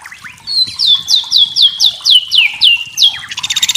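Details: White-rumped shama song used as a lure to make another shama answer: a fast run of about ten high, clear down-slurred whistles, roughly four per second, ending in a harsh buzzy rattle.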